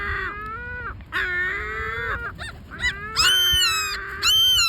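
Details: Great black-backed gulls giving what are described as complaining calls: long, drawn-out, nasal wailing notes with rich harmonics, each rising slightly and then falling away. Four or five calls come in quick succession, the last ones louder.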